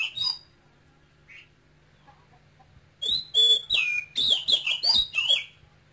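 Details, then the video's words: A male oriental magpie-robin, kept caged and raised from a nestling brought from Cambodia, sings with a Quảng Ngãi-type voice. A brief whistle and a soft note come first, then about three seconds of loud, rapid, descending whistled phrases. "CHÒE THAN campuchia TRỐNG kêu sung Hót hay"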